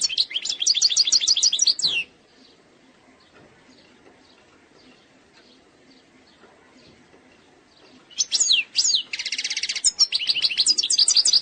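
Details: European goldfinch from Algeria in eastern-sector song, delivered without faults: two seconds of fast, high twittering, a long silence, then a burst of buzzy trilling and lively chattering notes to the end.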